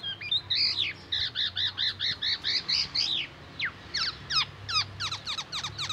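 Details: Copied oriental magpie-robin phrases from a Black-naped oriole: a run of arched, repeated whistled notes for three seconds, a brief pause, then quick downward-sweeping chips in rapid succession.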